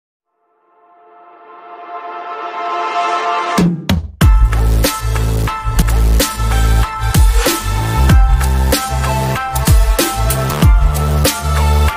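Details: Electronic dance music with a swelling intro, then heavy bass drops and steady drum beats; no animal voice is heard.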